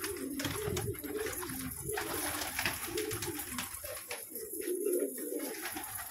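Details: Pet pigeons of varied colours make low, rolling coos in uneven bursts, mixed with knocking and a rustling, noisy background.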